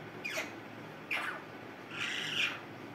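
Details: Parrot calling with three harsh, hoarse squawks: two short rasping bursts about a second apart, then a longer grating call near the end.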